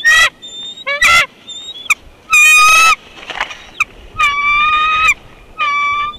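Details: Bald eagles at a nest in Big Bear Valley on 24 February 2021, as an immature intruder buzzes the nest after an adult arrives carrying fluff. Loud bursts of harmonic piping calls, some ending in a steady high tone, separated by short quiet gaps.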